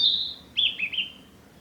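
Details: Male narcissus flycatcher singing on the Hinata forest road in mid-May 2021; a sustained high whistle gives way to a few short, descending slurred notes, partly cut at the start.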